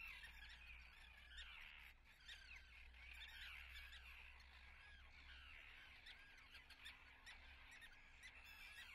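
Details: Common terns at their nesting colony in Atlit, Israel, 10 June 2010: a dense chorus of harsh, overlapping calls from many birds, continuous throughout, over a steady low rumble.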